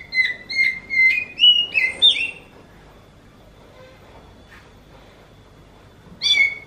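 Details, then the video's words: Oriental magpie-robin singing in a way that recalls a meowing kitten: half a dozen rapid slurred whistles rising in pitch, a pause of almost four seconds, then one more loud mewing note. "Viral burung kacer ini suaranya mirip seperti anak kucing"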